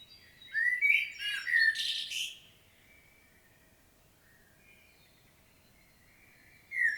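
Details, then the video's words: In Świnoujście, Poland, on 25 September 2022, a common blackbird gives one fluty, warbled phrase closing in a harsh twitter, followed by about four seconds of near-silence before the next phrase starts. "Blackbird's solo"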